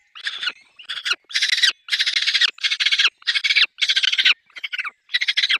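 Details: Peregrine falcon at the nest with chicks: loud, rasping, stuttered screeches in long uneven bursts, some stretched out and some short, with brief gaps between.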